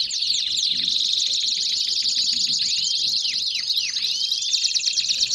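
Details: Belgian canaries in full song: busy overlapping trills and chattering notes, with looping slurred whistles and a bright high buzzy trill toward the end.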